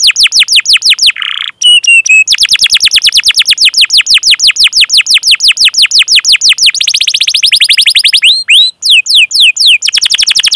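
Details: Canary song used as a training master for young or silent canaries: long runs of fast, high descending chirps repeated about three per second, broken by brief buzzy trills and whistled notes, with clean background.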